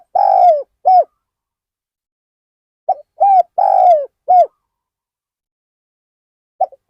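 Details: Spotted dove used as a decoy to lure wild birds at Ban Nong Hin, giving two phrases of mellow cooing: a short note, a longer rolling coo, then a clipped final coo, separated by a pause of about two seconds.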